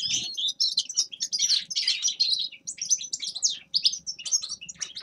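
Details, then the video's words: A Grey-crowned goldfinch sings loud, scratchy twittered phrases packed with quick chirps and buzzes, with short gaps and a faint hum underneath. "Седоголовый щегол Carduelis caniceps певчая птица"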